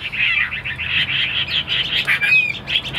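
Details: Captive tamed Chinese hwamei producing a dense, continuous stream of rapid chattering warbles, busy and slightly harsh, with one clearer whistled upslur near the end.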